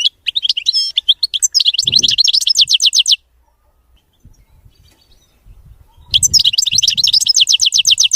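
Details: European goldfinch song, clean and free of errors: fast, high, tinkling twitters run for three seconds, then a quiet gap with soft low noises, followed by another dense burst of rapid chattering notes.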